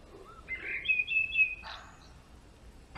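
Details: European greenfinch male giving a drawn-out, slightly nasal, buzzy note lasting about a second, followed by a short sharp call, then quiet background.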